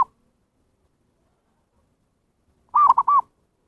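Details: Zebra dove lure call used to attract wild birds: after a long silence comes one short burst of three mellow coos, two clipped and one slightly longer, arched in pitch and in quick succession. No background sounds.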